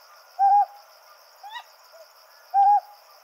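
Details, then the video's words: Ryukyu scops owls, a male and a female, calling to each other at night in the Yaeyama Islands: two short, hoarse hooting notes about two seconds apart, a fainter higher upslurred note between them, over a steady high-pitched background whine. "可愛いフクロウの鳴き声 | リュウキュウコノハズク | 八重山諸島の夜 | オスとメスの鳴きかわし"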